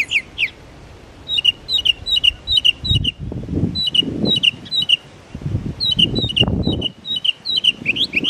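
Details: Singing its litany of imitated bird songs at Belle Isle Marsh Reservation, East Boston, Massachusetts, a northern mockingbird delivers bursts of rapidly repeated two-part chirpy phrases, pausing between series, with low rumbling background noise.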